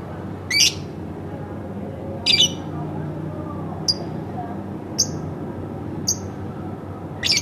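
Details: Home-kept lovebird calling in loud rasping squawks alternating with short thin chirps, spaced about a second apart, with a faint low hum behind.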